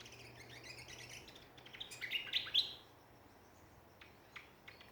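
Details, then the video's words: Backyard songbirds in Ballajura, Western Australia, giving a burst of high twittering notes around the middle, with quieter background chirps and a faint low hum. "Australian songbirds in backyard."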